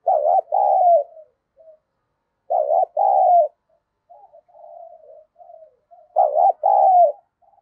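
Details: Spotted dove used as a decoy bird, giving excited cooing to provoke rivals; three loud paired coos with low murmured notes between them, in a quiet setting.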